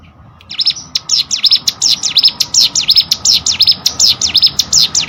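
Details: Hill prinia, called cigun or prenjak gunung, singing for competition-bird training: a steady series of bright, dipping V-shaped notes repeated quickly for over four seconds over a low background hiss.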